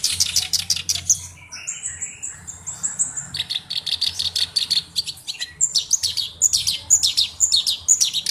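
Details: Black-browed reed warbler singing energetically, a bird kept as a tutor for its distinctive song. Rapid harsh chattering runs alternate with thin whistled notes and quick repeated clicking phrases.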